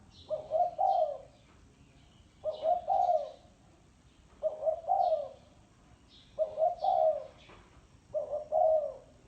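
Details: Spotted dove repeating its thổ sấm cooing about every two seconds, five low phrases of a short stutter and a longer rolling coo, with faint high chirps in the background.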